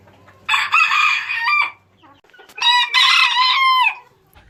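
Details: A pair of loud rooster crows from a compilation of assorted crowing. Each strident, harmonic crow lasts over a second and wavers slightly before breaking off. A soft low hum fills the pause between them.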